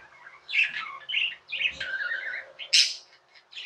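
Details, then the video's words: Budgerigar warble: a short run of wavering, buzzy chirps that rise and fall, ending in a sharp high squeak, heard in an indoor room. "Budgies | Talking | Singing | Chirping sounds"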